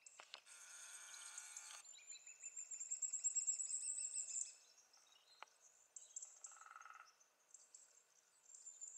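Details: Lesser spotted woodpecker (Dendrocopos minor) giving a fast run of thin, high, piping notes after a brief rushing burst, with other small birds chirping faintly afterward.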